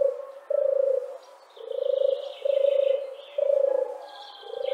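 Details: European Turtle Dove in Central Russia: a low, rolling purr repeated about five times at a steady pace, with faint higher notes from other birds running behind it.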